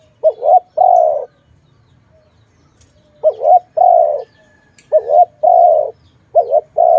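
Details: Dove coo from a bird-trapping setting: four two-note phrases, a short wavering note then a longer steady hoot, with a long pause after the first and faster repeats toward the end.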